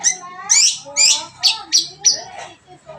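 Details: Long-tailed shrike song: squeaky, scratchy phrases alternating with thin falling chirps, with a low steady hum in the background.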